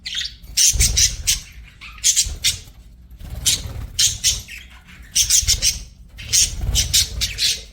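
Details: Budgies singing and chirping in repeated clusters of shrill, pulsed notes, each cluster of several quick chirps followed by a short pause, over a low background rumble.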